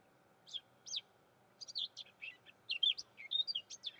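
Eurasian blackcap: two separate high notes, then a quick, varied, fluty warble of bright notes for over two seconds, against quiet background hiss.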